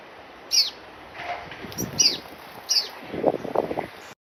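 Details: Orange-breasted sunbird (Anthobaphes violacea) call recorded in Africa: three thin, very high, sharp chips spaced irregularly, with some lower soft twittering and faint background hiss.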